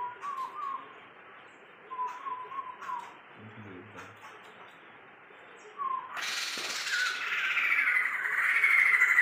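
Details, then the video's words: Sumatran laughingthrush, a tame caged bird kept for 20 years: soft whistled warbles with a brief low murmur, then a sudden loud harsh rattling chatter that builds and continues to the end. "Poksay Sumatra super gacor dan jinak"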